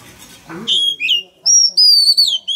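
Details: Male oriental magpie-robin sings hard to urge a young bird to sing with it: a short low murmur, then a string of pure high whistled notes, several held and gently falling, separated by brief gaps.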